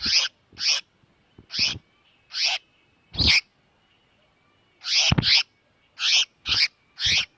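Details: Small bird giving a distress call, used as a lure for trapping: harsh, scratchy notes repeated about every half second to second, some in quick pairs, with faint low thumps beneath.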